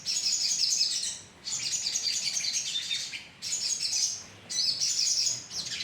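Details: Sogon birds calling as a colony for luring: bursts of dense high chirping about a second long, separated by short quiet gaps, with a rising whistle near the end.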